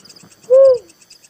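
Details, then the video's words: Little cuckoo-dove giving one low, hollow, slightly arched note lasting about a third of a second, with steady high insect chirping in the background. "suara burung tekukur merah || suara burung uncal"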